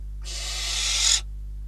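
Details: Barn owls at a Catalonian nest on a live camera, 12 December 2021, during prey deliveries of a bird and then a rodent: one harsh, hissing screech of about one second, swelling louder before cutting off, over a steady low electrical hum.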